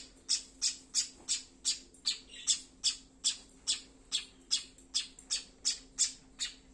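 A young tailorbird gives harsh, raspy begging calls, about three per second in a steady insistent series, over a faint low hum.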